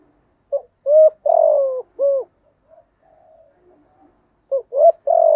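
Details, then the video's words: Spotted dove coo song for training newly caught doves to sing: a short note, rising coo, long falling coo and a closing note, then the phrase begins again. "tiếng chim gáy dùng tập chim bổi mới hiệu quả/ tiếng gáy kích bổi gáy ngay"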